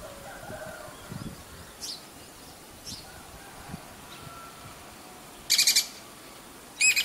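Jacobin cuckoo giving two loud, harsh bursts of rapid high notes about a second and a half apart, after a few faint, thin chirps.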